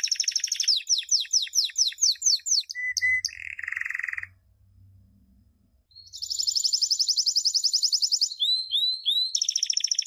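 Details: Canary champion training song used for teaching young birds: rapid series of repeated descending whistled sweeps, a short buzzy lower trill, about two seconds of near silence, then a fast rattling high trill and looping whistled notes.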